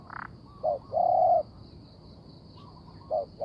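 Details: Spotted dove decoy for trapping gives a quiet short coo and a long even mellow note, then pauses before starting again, with a brief high sound at the start.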